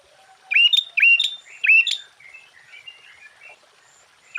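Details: Sooty-headed bulbul singing to provoke other bulbuls: three loud, quick phrases about half a second apart, each a dipping then rising whistled slur ending in a sharp high note, then a softer chattering warble and the start of another phrase.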